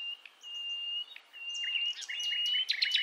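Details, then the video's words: Wild Java forest nightingale (sikatan londo), female calling males to lure young birds. Long level whistles broken by brief chips, ending in a fast cluster of loud, sharp chirps. "Nightingale Bird Singing - Suara Kicau Burung Sikatan Londo Kipas Rimba Emas"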